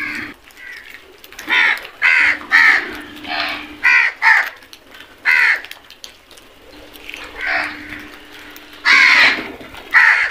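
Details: A flock of crows attacking food, many harsh, hoarse caws with layered harmonics, given in bursts of about half a second, overlapping from several birds through ten seconds, with a faint steady low hum behind.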